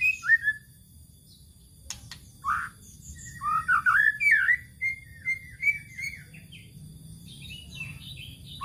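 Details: White-rumped shama lure song used to provoke other birds: bursts of rich, slurred whistles and warbled notes in quick varied phrases, with a sharp click early on and low background rumble.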